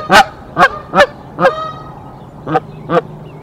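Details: Canada goose honking while a pair fights off an intruding goose at their nest; six loud rising honks spaced roughly half a second apart, with a brief gap midway.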